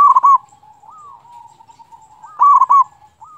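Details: ['Local zebra dove singing as a lure for other doves: a loud chopped coo phrase opens, soft sustained coos follow, then a second loud phrase around two and a half seconds.']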